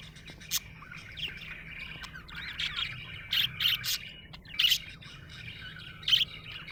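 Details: Happy budgerigar chatter with harsher squawk-like chirps clustered between three and five seconds and one more near six seconds, over a soft continuous warble.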